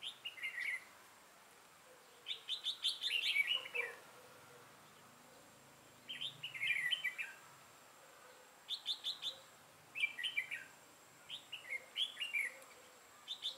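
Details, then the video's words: Red-whiskered bulbul used as a decoy for trapping: short, bright, warbled phrases of four to six quick notes, repeated every two to three seconds, with faint insect-like high ticking and a steady background hiss. "Bẫy chào mào"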